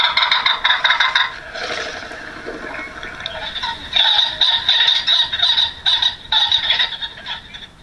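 Ring-necked Pheasant giving harsh, nasal cackling notes in quick irregular bursts, a brief lull midway, then another run of rapid calls.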